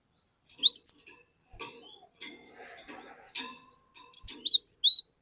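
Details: A cinereous tit sings loudly to coax other, untrained cinereous tits into joining in. Piercing whistled note pairs open the passage, then a quieter gap, then a fast burst of five bright high notes.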